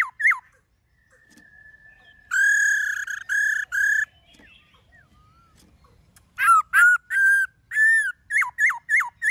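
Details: Black-throated laughingthrush in wild-style song: a thin steady whistle, then three rich harmonic held notes, a pause, and a rapid series of short sharp downslurred whistles and held tones.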